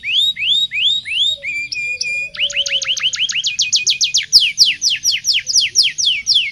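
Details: Energetic local canary song meant to teach young canaries to sing: series of rising swept whistles, short staccato notes, then long rapid rolls of repeated sweeping notes at a quick, even pace.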